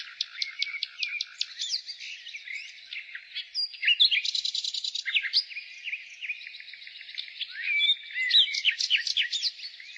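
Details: Nightingale singing in spring: a varied, rapid run of sharp clicking notes, brisk trills and bright slurred whistles, phrases tumbling one into the next over a steady high background of other birdsong.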